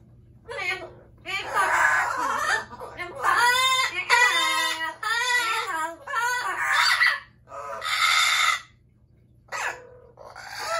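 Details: Pet Amazon parrots, including a yellow-naped Amazon, calling indoors: a long series of loud harsh squawks and rich, wavering screams in irregular bursts, some almost talking-like, over a steady low hum.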